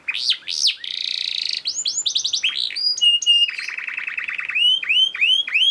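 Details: Canary song used as a master recording to train other canaries to sing: rapid high trills and rolling tours, a buzzy sustained trill, then repeated up-swept whistled notes and a low stuttering roll, all quick and continuous.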